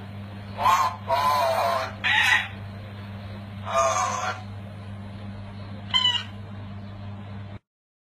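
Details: Talking parrot from Pakistan producing several harsh, speech-like bursts of about a second each, with a final short squawk, over a steady electrical hum.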